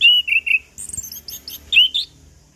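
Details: Chestnut-capped thrush song used to coax non-singing birds: sliding whistled notes at the start, then a rapid jumble of high, thin, twittering notes, ending in two clear rising whistles.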